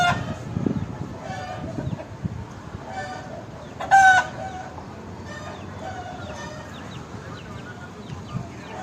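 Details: Aseel fighting rooster crowing: one loud, harsh, harmonic crow bursts out midway. Fainter crows and clucks from other fowl come before and after it, over steady outdoor background noise.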